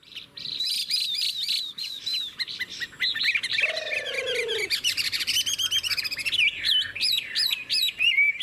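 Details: A caged Chinese hwamei with a fast, even voice sings a rich, fast stream of loud whistled phrases, slurred up and down and constantly varied, with a brief lower burst midway.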